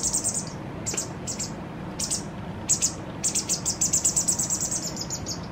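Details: Fledgling White wagtail begging as its parent feeds it, in one of the last full feedings before independence: clusters of sharp high chirps, building to a fast, insistent run of repeated notes at the end.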